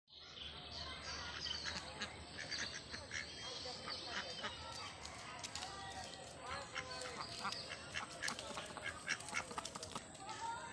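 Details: Ducks on a lake, a mix of Mandarin ducks, mallards and Pekin ducks being fed, quacking in a busy chorus of short harsh calls, several per second, with a steady high hiss and some human voices.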